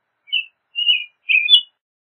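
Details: Three short whistled phrases of an American robin, high and slightly buzzy, each sliding downward, spaced about half a second apart in silence.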